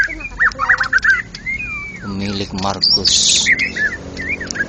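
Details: White-rumped shama, national contest champion, in ngeplong gacor style: looping whistles and a long drawn slur, interrupted by a brief harsh nasal sound, then loud high buzzy notes and further whistles.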